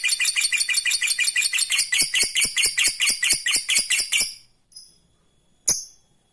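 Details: Lovebird ngekek used to provoke rival birds. A fast, high, rattling trill lasts about four seconds and then cuts off. Silence follows, broken by a single sharp chirp.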